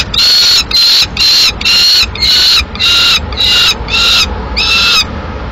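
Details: Peregrine falcon chicks in Madrid on 14 May 2016, two siblings fighting over prey brought by the female: nine harsh, rasping screams in quick succession, each about half a second long with short gaps, over low background rumble.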